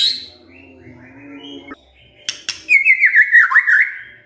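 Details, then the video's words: A white-rumped shama, stirred up and answering, gives a rapid warbled whistling phrase of wavering notes after faint low tones and a couple of sharp clicks. "tidak nyampe 3 menit murai TERPANCING emosinya, nyaut GACOR✅ shama bird"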